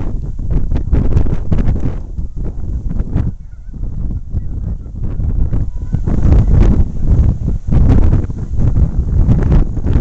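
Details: Canada geese on the Saskatchewan River at Saskatoon on a very windy day, recorded with a camcorder: bursts of short, harsh, repeated honks from several birds, partly buried under loud, rumbling wind noise throughout.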